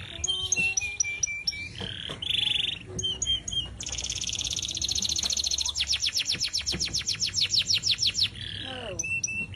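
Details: Atlantic canary singing free of a cage, recorded as master song for tutoring other birds: clipped whistled notes and short slurs, a sustained rattling buzz, then a long fast trill of sharp repeated notes.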